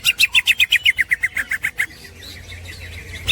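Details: Green leafbird master song for training cage birds, in the snickering 'ngekek' style: a fast run of about fourteen sharp chattering notes, each slightly lower, slowing toward the end, followed by quiet hiss.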